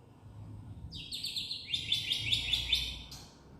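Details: Black-winged myna, a protected bird, singing a full filler song: a rapid run of bright, harmonic chirping notes, each sliding upward, repeated about twice a second for two seconds over a low background rumble.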